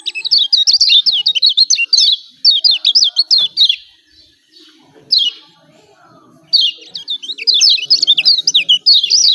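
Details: Yellow white-eye of Lombok giving an emotional 'ciak ciak' call meant to provoke a silent bird into singing; dense strings of thin, high, sliding chirps, a quiet gap near the middle, then another lively burst.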